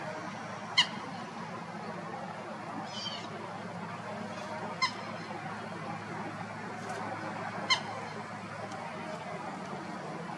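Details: Common Gallinule recorded in Florida calling with three sharp, squeaky single notes spaced about three seconds apart. A fainter note sounds in between, and a constant background hiss runs throughout.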